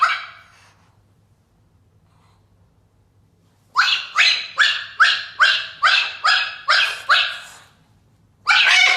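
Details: A cockatiel, recorded August 8, 2021, gives a run of about ten harsh, raspy squawks, two or three per second, after a short opening call and a pause, then one more.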